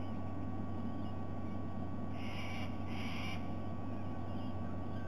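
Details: White-bellied sea eagle, recorded 06/07/2020, gives two loud, nasal honking notes in quick succession over a steady low engine-like rumble.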